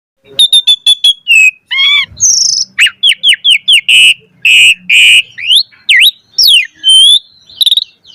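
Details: Asian pied starling pumping (mompa) song with full variation, made to train birds to sing; stuttered clear notes, a harsh burst, then a steady run of repeated rasping syllables and swooping whistles.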